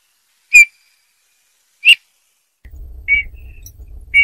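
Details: Bullfinch song made of soft, short piped whistle notes. Two notes stand alone, then a low rumbling hum starts under two more whistles near the end.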